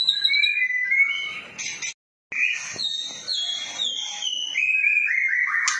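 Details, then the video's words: A White-rumped shama in a tutor recording pours out rich, fluty whistled phrases that slide and jump between high and middle pitches, with a brief silent break partway through. "Masteran Murai batu PASTOL langsung NYAUT cililinan"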